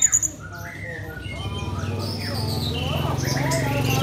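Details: Orange-headed thrush singing in the morning, Kubutambahan, Singaraja, Bali: varied, rapid whistled phrases rising and falling, some high and thin, over a steady low hum and murmur.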